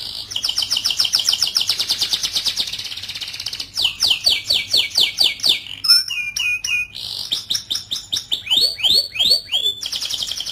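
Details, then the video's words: A white canary sings long, high rolling trills: a fast buzzy run of about three seconds, then varied rolls and quick down-slurred whistles, over a faint low hum. "White Canary bird Singing"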